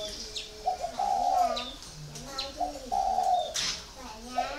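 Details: Spotted dove, four years in a cage, delivering 'còi' coos: two paired phrases, a brief note then a longer hollow falling coo, repeated, with quiet chirps and clicks in the background.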